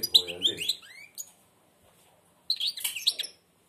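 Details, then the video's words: European goldfinch, blind, singing with beak nearly shut; a man speaks at the start, then a few bright twitters and a rising whistle, a silent gap, and a final burst of rapid chirps. "تغريد_الحسون أعمى سبحان الله يغرد ومنقاره شبه مغلوق"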